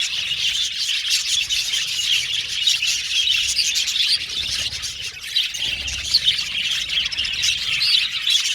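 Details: Captive male violet budgerigars in an aviary colony, a dense unbroken chorus of high chattering chirps and warbles from many birds at once, with a brief lull near the middle.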